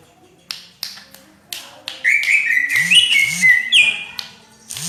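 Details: Vigorous 'rapet' song of a greater green leafbird (cucak ijo) with a kacer flavour: spaced sharp ticks, then a long, bright, wavering whistled warble, with low soft thumping notes underneath.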